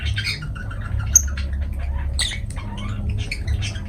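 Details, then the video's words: Lovebirds kept as pets twittering and squeaking in quick scratchy bursts with an occasional thin whistle, a low hum running beneath. "Beautiful Love birds Parrot 🥰 , Love birds voice sound"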